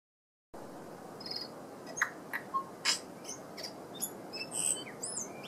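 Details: A tui sings a jumble of sharp clicks, brief buzzy bursts and high thin whistles, spaced irregularly, over a steady rushing background hiss, at Karekare Beach, Auckland, New Zealand.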